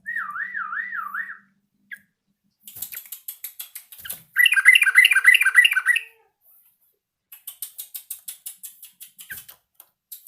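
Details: Yellow-vented bulbul learning its song: a wavering whistled phrase, then a dense burst of bubbling, squawky chattering notes, with scattered clicks and ticks around it.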